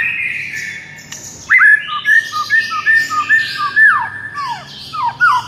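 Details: Tutor song of a white-rumped shama meant to make a listless shama sing wildly: after a faint opening, a loud series of clear downslurred whistles repeated about twice a second, with higher thin notes above.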